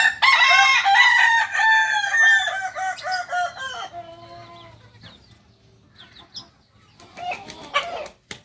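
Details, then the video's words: Kukuak balenggek rooster, a singing chicken breed from Solok, West Sumatra, crowing: a long, loud crow of many stepped harmonic syllables for about four seconds, fading into quieter broken notes, then a brief renewed burst near the end. "Ayam kukuak balenggek ayam penyanyi dari solok sumbar"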